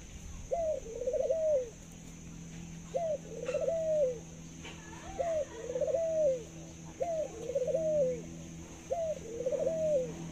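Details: Caged Thai dove (chim cu Thái), a bird kept for its long laughing coo, giving five clear cooing phrases about every two seconds, each a short rising note followed by a rolling, wavering coo, over a faint steady background hum.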